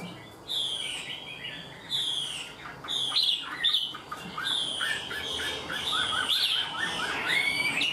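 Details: An untrained captive Chinese hwamei sings in structured phrases like a tame bird. Strong whistled notes come in separate bursts at first, then merge into fast series of short repeated slurs and trills.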